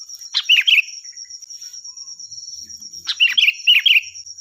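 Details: Sooty-headed bulbul, loud and clear, recorded for teaching other birds to sing: two bright phrases of rolling, bubbling notes, the second longer, separated by a quiet pause and backed by a continuous high whine.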